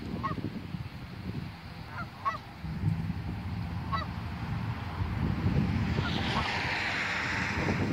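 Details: Geese perched on top of a church, calling to one another: scattered short nasal honks every second or so over heavy low rumbling background noise, with a hissing wash rising toward the end.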